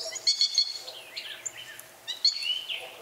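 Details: Northern Cardinal calling: sharp, high chip notes in quick pairs, then slurred down-sweeping notes, another burst of chips and a rising slurred note near the end, over faint background hiss.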